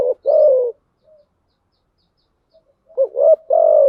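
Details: Lure call of a spotted dove, female cooing meant to entice wild doves: a long falling coo at the start, a silent stretch, then a quick stuttered double note leading into another sustained low coo.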